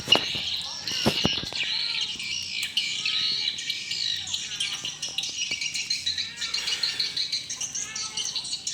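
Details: Evening chorus of swiftlets at a small swiftlet house, many birds giving shrill, scratchy chirps in an unbroken high wash, with a few sharp clicks at the start.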